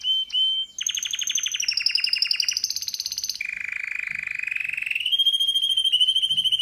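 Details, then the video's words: Male pet canary delivering loud, continuous song: two short chips, then a chain of rapid rolling trills shifting between higher and lower pitches, ending in a steady, ringing whistled tour. "Canary bird singing"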